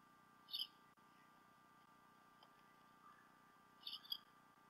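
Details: Bald eagle pair at the Decorah North nest, nest-camera sound from 28 February 2016 during late morning or early afternoon. Two short bursts of high, thin squealing whistles about three seconds apart, against a steady hiss.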